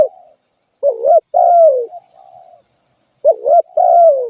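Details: Low, soft coos of a spotted dove: a quick wavering note then a longer descending one, two sets with a pause between, and a faint trailing murmur.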